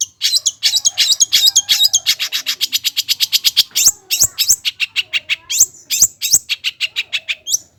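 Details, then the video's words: Long-tailed shrike (cendet) lure song meant to stir idle birds into singing: a fast, steady stream of dry, ticking high notes, nearly three per second, with a few louder emphatic chips. "CENDET GACOR || PANCINGAN CENDET MALAS BUNYI AGAR GACOR BONGKAR ISIAN"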